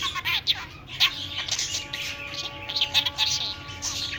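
A budgerigar chatters in a fast, scratchy warble of high chirps and squeaks.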